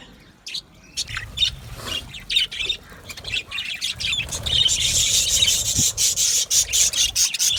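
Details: Aviary budgerigars begin with sparse squawks, then break into steady, dense high chatter from midway on, with faint low rumbling beneath.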